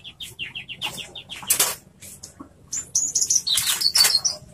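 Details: A Horsfield's bush lark sings loudly: a quick run of short, high, down-slurred notes, then thin whistles and harsh buzzy bursts mixed with a flutter of wings.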